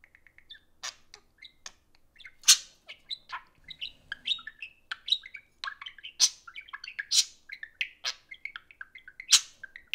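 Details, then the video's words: Pair of pet parakeets socializing around a phone, giving a dense, continuous stream of bright twittering chirps, squeaks and sharp clicks with brief pauses. "Parakeets Socialize over an iPhone (Budgie Play Time)"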